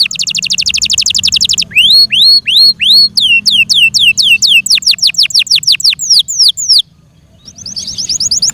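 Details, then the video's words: Pet Yorkshire canary in song, opening with a rapid trill, then rising whistled slurs and falling swept notes repeated in quick series, a brief pause, and another fast trill. "THE BEAUTIFUL SOUND OF FI YORKSHIRE CANARIES"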